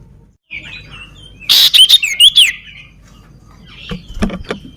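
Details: Sooty-headed bulbul, known locally as sirtu or cipow, a bird with a crippled foot singing actively: a burst of loud, quick whistled chirps and slurred notes, with softer warbles before and scattered clicks after.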